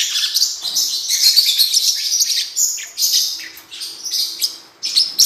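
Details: Blue-winged parrotlet (cuiubinha) song: lively high-pitched warbling chatter of squeaks, buzzes and quick chirps, rising and falling in short phrases.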